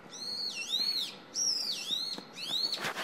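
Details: Young Brown-eared Bulbul singing on a wire in front of a house, about 6–7 m away, giving shrill, harmonic calls that dip then glide upward, about every second and a half, over a faint hiss and humming noise.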